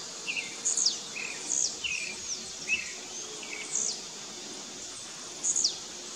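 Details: Blue-black grassquits in a singing dispute in the bush trade brief, very high buzzy notes with sharp falling tails, about every one to two seconds, mixed with softer lower chirps over a steady hiss.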